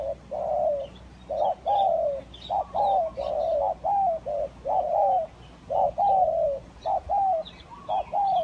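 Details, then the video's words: Spotted dove lure call of the tekukur kacuk and village tekukur kampung types: a dense, almost unbroken run of soft, low coos, some slightly falling, closely overlapping, with faint chirping of small birds in the background. "Pikat Tekukur Kacuk dan Tekukur Kampung"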